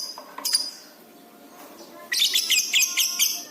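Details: Lovebird recorded as masteran training material for pet birds, described as gacor and fast-responding: a few high squeaky notes, a pause, then a dense burst of shrill, rapid chattering chirps.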